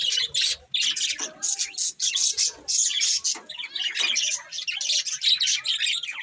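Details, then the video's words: Budgies chirp and sing as they eat, a busy stream of high warbled twitters broken by short pauses, several birds overlapping, with faint low knocks. "Beautiful Budgies Singing and Eating | Love Birds Chirping Sounds"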